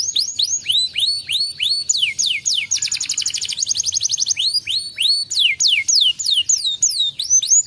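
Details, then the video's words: Canary singing, meant to prompt a lazy canary to sing: loud arched whistled notes repeated in series, a fast rattling trill, then more rising and falling slurred phrases in steady rhythm. "pancingan Kenari malas bunyi"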